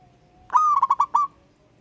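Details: Wild local zebra dove singing ngayer-style to call a rival; one crisp phrase of five rapid, clipped cooing notes finishing on a slightly longer note, after a faint steady hum.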